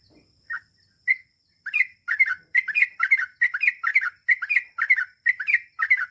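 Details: Chatty Yellow-vented Bulbul (trucukan) singing a long rapid ropel-style song: a few separate chirps, then dense runs of bubbly, warbling two- and three-note phrases repeated about twice a second, with a faint steady high hiss.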